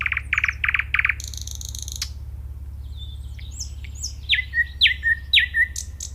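A nightingale sings varied phrases: a quick run of four repeated notes, a high buzzy trill, then sharp downslurred whistles, over a steady low hum.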